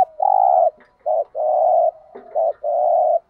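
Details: Spotted dove giving the 'thúc gù' urging coo in the native field-dove voice style. It produces low, steady, sustained coos of about half a second, alternating with short clipped notes, in a clean, quiet setting.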